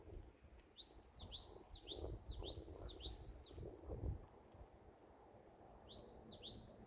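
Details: Great tit on the summit of Wollong mountain, Paju, on a warm day, sings bright, ringing two-note phrases, about two per second, in a three-second run and again after a pause, over low wind rumble; possibly calling to find a mate.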